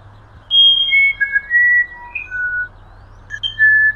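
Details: Musician wren of the Amazonian humid forest, also named violinero or wirapuru: loud, flute-like whistled notes, each held steady at a different pitch, forming a wandering melodic phrase with a brief pause before the final notes.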